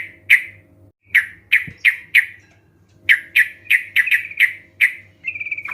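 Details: Sooty-headed bulbul song for luring other birds into singing: sharp, separate chirps spaced about half a second apart, a steady low hum beneath, ending in a short fast trill.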